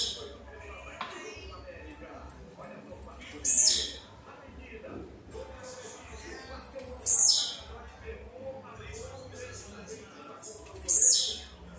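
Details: Blue-black grassquit (Volatinia jacarina), the only bird singing while the others are in moult, repeats its short, sharp, buzzy high-pitched song about every four seconds.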